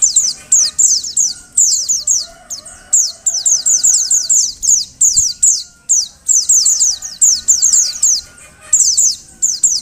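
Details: Calls of a female Oriental white-eye, used to get males singing: sharp high downslurred notes, often doubled or tripled, coming in rapid bursts about every half second with brief pauses.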